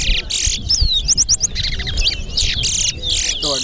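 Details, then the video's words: Towa towa, or chestnut-bellied seed finch, competing in a bird singing race at the Sheriff Street bird ground: sweet whistled slurs and quick repeated trilled notes, interrupted by harsh broadband bursts and crowd noise. "TOWA TOWA BIRD RACE"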